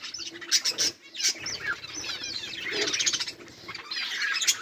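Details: Budgerigars chatter on 18 July 2023 with bright squeaky chirps and wavering warbles, a few sharp louder notes cutting through the steady flock noise.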